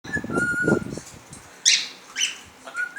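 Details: Cockatiels playing with an electric fan indoors: a steady whistled note with low fluttering thumps beneath, then three harsh, buzzy screeching chirps spaced about half a second apart.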